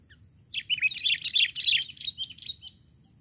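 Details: Sooty-headed bulbul calling a rival, recording used for luring: a one-second burst of rapid, twittering chirps that loudens in the middle and trails off into softer notes, over quiet low hum.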